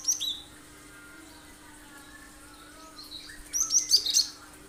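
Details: Cinereous tit, known locally as gelatik batu, delivering 'tembakan tajam' sharp shots meant to lure other birds into singing: brief high chirps at first, a quiet pause, then a rapid cluster of piercing high notes.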